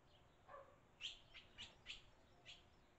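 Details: Barn swallows at a nest in Las Cruces, nestlings being fed by parents; a run of five sharp, high chirps about every half second, with a soft lower note before them over faint background hiss.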